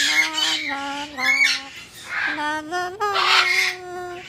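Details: Umbrella cockatoo at a pet store, a friendly talking bird that greets a regular visitor: a run of harsh, voiced, speech-like squawks with rich overtones, rising and falling in short phrases, indoors in a small room.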